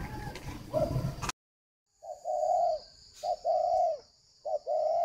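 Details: Spotted dove decoy bird used for luring: after a burst of loud noise and a pause, a short note followed by a longer low hollow coo, repeated three times, with a faint steady high tone behind.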